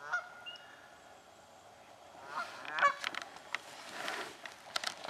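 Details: Swamp scene with Canada geese contesting nesting spots: a quiet start with one thin call, then a rising clamour of clipped, overlapping honks in the second half.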